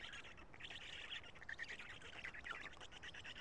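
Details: Black storks at a nest in Karula on 2 June 2017 around 13:59, an adult feeding the young; harsh, squeaky chattering bursts run nearly continuously, rasping and uneven in pitch.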